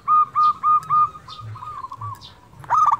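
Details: Local zebra dove in persistent song, used as a lure to get silent doves singing: four loud, drawn-out cooing notes, then a softer rapid run, ending in a loud burst of quick notes.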